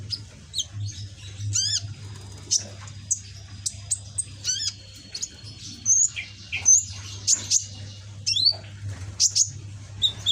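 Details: Young caged sunbird with a red back and greenish plumage, still learning its song, gives thin high chirps, sharp up-and-down whistled notes and brief trills at irregular intervals, over a steady low mechanical hum.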